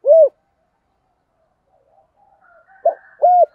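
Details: Decoy spotted dove in the thổ voice, used to provoke wild doves. A single rounded coo is followed by a pause, then a short note and another hollow coo. Faint soft sounds fill the gap.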